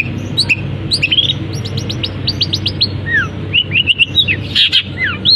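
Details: Caged long-tailed shrike singing right after its cage cover is opened, working in imitations of canary, fighting sparrow and kapas tembak: a busy run of sharp whistled chirps, short upslurred notes and falling slurs, over a steady low hum.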